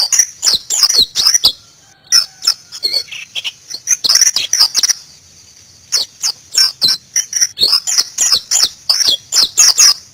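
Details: White-eye (pleci) in Indonesia singing in bursts: runs of rapid high chirps and twitters, a short pause, then more quick bright chattering phrases.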